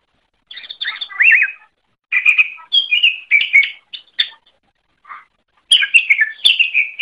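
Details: Greater green leafbird master song for training birds, with scattered bursts of sweet varied notes including a wavering whistled phrase, quiet gaps, then a final lively run of chirps.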